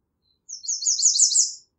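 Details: American redstart singing one song variation: a rapid string of high, sibilant notes that builds in loudness over about a second, with no other sounds.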